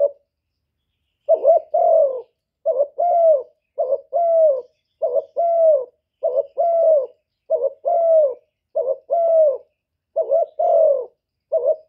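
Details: Gáy gù cooing from a spotted dove kept as a decoy to excite wild and captive doves. A second of silence, then roughly nine evenly spaced low phrases, each a brief wobbling note leading into a longer sinking coo.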